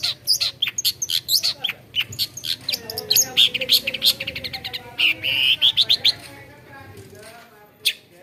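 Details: Cendet, or long-tailed shrike, a mimic of other birds' sounds, delivering fast varied chatter: rapid chips, squeaky whistles and trilled runs packed closely, then scattered notes trailing off.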